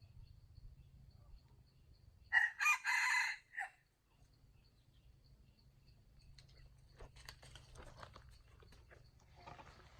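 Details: Rooster crowing: one loud harsh crow of about four rapid pulses lasting just over a second, preceded and followed by quiet low rumbling background noise and faint distant sounds.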